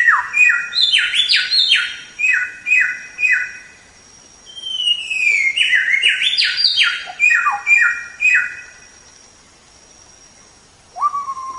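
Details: White-rumped shama (samyong) training song: bright descending stepped phrases repeated several times, a rising whistled glide into tumbling notes, quiet, then one closing low whistle.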